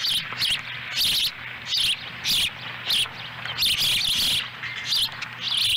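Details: Ospreys at a ranch nest in Lolo, Montana, on July 18, 2017, as the adult female delivers a small fish that a young bird eats whole. Loud, high, piercing chirp bursts repeat irregularly over a steady low hum.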